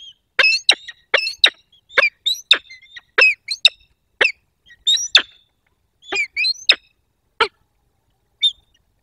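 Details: A pair of wild peregrine falcons meet at a nest in Poland's Barycz Valley, 22 October 2024. Rapid, harsh, clipped calls come in dense, uneven clusters, with short gaps between bursts.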